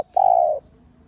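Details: A single long, level, mellow coo from a spotted dove kept as a lure bird to excite other doves, clean and close with no other sounds.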